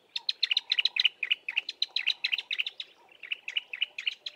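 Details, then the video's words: A Bar-throated apalis pair duetting from low bushes: rapid, sharp, high chipping notes about four per second, with a softer lower trill underneath; the male's deeper call dominates the duet. "Bar-throated Apalis pair's duet"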